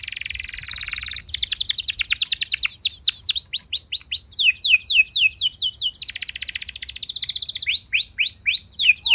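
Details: Canary song played to prompt other canaries to sing: a nonstop chain of rapid rolling trills, each tour of repeated notes switching to a new pitch and pattern every second or two, over a faint low hum.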